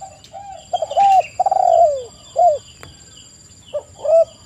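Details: Spotted doves used as a lure recording to draw other doves into calling back: several low, mellow coos, each opening with a quick stuttered rattle and then sliding downward, in overlapping bursts with gaps, over a faint steady electronic whine.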